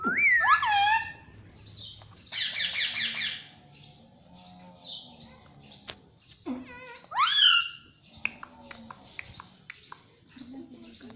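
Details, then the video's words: Talking green ringneck parrot kept as a pet says "mummy"; sharp rising whistled swoops, harsh raspy bursts and steady short high chirps in the background. "Mummy Mummy bolne wala tota _ Parrot Talking Mummy Mummy _ Talking Parrot"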